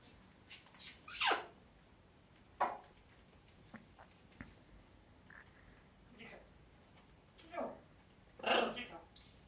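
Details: A curious pet white cockatoo gives a run of short, harsh, rasping squawks at irregular intervals over several seconds. The loudest bursts come near the start and the end, with quieter scratchy notes between them against a calm background.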